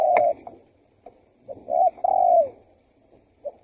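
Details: Spotted dove lure call meant to draw wild doves in and set others calling: a low coo, then a pause, then a soft two-part coo with a longer falling hooted note.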